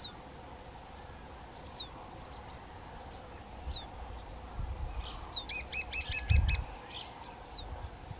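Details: Faint, descending single whistles recur every couple of seconds, then a young White-tailed Eagle, one of two birds, bursts into a brief, rapid string of high piping notes.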